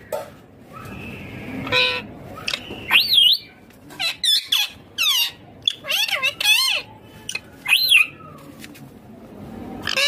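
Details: Green Indian ringneck parrot speaking in clear bursts: a string of high, harmonic, wavering syllables with quick pitch swoops and bends, separated by short pauses, across ten seconds.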